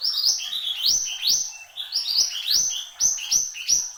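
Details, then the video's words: Horsfield's babbler, known as mantenan gunung, in active song: loud high notes that sweep up sharply and hold, repeated roughly every half second, mixed with lower whistled phrases in a steady flowing series. "SUARA BURUNG MANTENAN GUNUNG GACOR"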